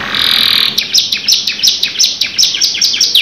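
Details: Canary singing a long rolling song: a sustained buzzy trill opens, then rapid repeated downward-sweeping notes, about three per second, bright and high-pitched.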